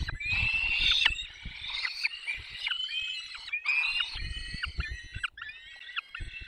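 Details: Feeding of peregrine falcons, Barycz Valley, 20 May 2021 at 10:22: harsh, strained screaming calls with downward slurred notes, repeated in bursts over faint low background noise.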